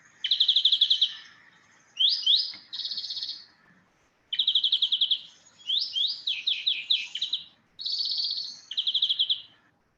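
European greenfinch song: fast trilled rattles and twittering phrases mixed with rising, chirpy notes, high-pitched and delivered in quick bursts separated by brief pauses.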